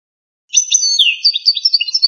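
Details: Song of a pure Algerian European goldfinch in the pipiniere style: after a short pause, bright high twittering with a downslurred whistle, then rhythmic chirped notes repeated about eight times a second.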